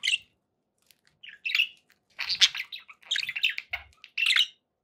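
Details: Domestic budgerigars giving scattered chirps and harsh squawks, separated by short silences, then a denser run of warbling notes near the end.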